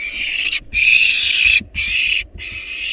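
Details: Wild barn owl nestlings in a monitored nest box, feeding on a large rabbit, give harsh broad hissing screeches in long bursts separated by short pauses; faint low thumps underneath.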